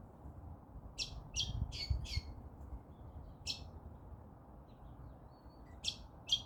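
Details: A single lorikeet calls on its own, giving short grating screeches in a quick cluster of four, then one isolated squawk, a pause, and two more harsh notes near the end, with low background rumble throughout.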